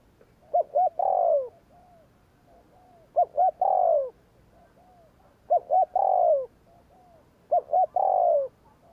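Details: Spotted dove giving the "gù kích" provoking coo four times, each phrase two quick hooked notes and a long falling coo, spaced about every two and a half seconds, faint answering coos between.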